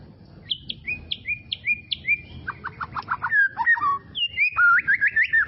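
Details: White-rumped shama in tropical forest, repeated downslurred whistles followed by a rapid burst of short notes and warbled rising phrases, over a low background rumble.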